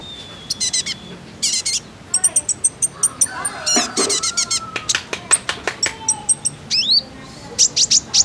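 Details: Female kolibri ninja, a sunbird, calling to set males singing: rapid, dense volleys of sharp high ticks and chirps, with short whistled slurs mixed in.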